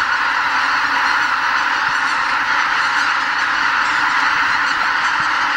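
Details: Before dawn in spring at Miyajimanuma wetland, Bibai, Hokkaido, Japan, a huge migrating flock of greater white-fronted geese departs its roost for nearby farmland; countless honking calls overlap into a constant, even wall of sound.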